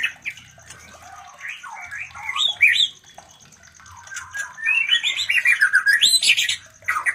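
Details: White-rumped shama mating chatter played to arouse breeding desire in other shamas; raspy squawks and slurred notes building into a loud rapid scratchy burst, with low background rumble.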